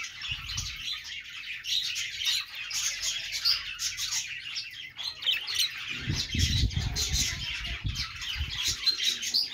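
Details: Pet budgerigars chirp happily in a busy, continuous chorus of warbled, scratchy twitters and short sharp chips. Low thumps and rumbling appear in the second half.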